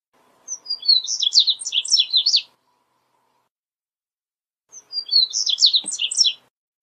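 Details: Double-collared seedeater singing, song meant for teaching birds and calling them: two quick, high warbling phrases of sweet twittering notes, each about two seconds, separated by a pause; faint low hum behind.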